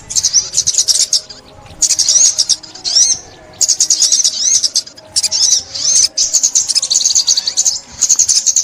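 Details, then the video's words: High-pitched sunbird song recorded for trapping in 2021: four or five dense bursts of buzzy trilling, each one to two seconds long, separated by short quiet gaps. "Tiếng Chim Ốc Mít"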